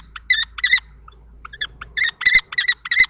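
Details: Common kestrels at a nest box in Théding, France, during a fight between two males on 20 March 2024: scattered shrill notes, then a burst of several quick harsh calls, over a low hum.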